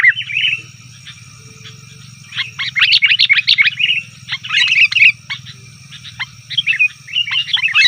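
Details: Noisy calling of a sooty-headed bulbul, used as a lure for wild forest birds: a short chirp, a quiet pause, then dense bursts of sharp, bubbly chattering notes with a constant low electrical hum and faint high whine.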